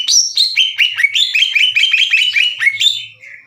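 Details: Greater green leafbird, a caged bird in full song, singing aggressively as if challenging other leafbirds to fight; loud, clear rapid run of sharp whistled notes sliding down and up, about two per second, ending in a fading buzzy trill.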